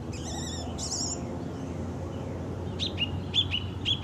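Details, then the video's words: Wild orange-banded thrush (anis cendana) in song: two high warbled trills at the start, a pause, then short sharp chips repeated roughly every half second, over low steady noise. "Anis Cendana Kicau Isian Liar"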